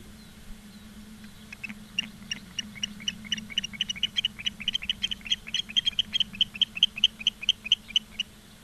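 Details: Osprey recorded by a live nature camera at Charlo, Montana, on 15 August 2023 at 16:06: thin, high whistled chirps that start sparse and build into a rapid, insistent series, about two per second, over a steady low hum.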